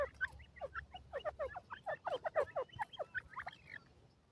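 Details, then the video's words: Indian francolin hen giving a rapid run of sharp, downward-sweeping chirps, about four per second, building then fading toward the end; low steady hum underneath. "ghoray teetar kio awaaz,indian teetar madi ke awaz"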